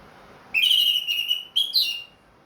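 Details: Ring-bred orange-headed thrush kept in a cage, singing again after its moult: a long, loud, steady whistle with a slight waver, then a second note rising briefly before settling.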